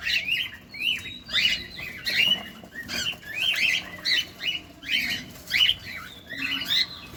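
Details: Caged cockatiels feeding, recorded close up; short rising chirps and squawky notes repeat in uneven bursts about every half second to second, with faint low rustling below.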